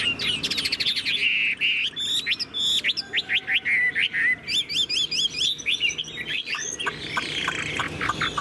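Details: Caged, tame Chinese hwamei in full song, tail spread, delivering high 'ngũ trường' phrases: rapid series of sharp repeated whistled notes, several per second, shifting pitch between phrases, then a trilling run.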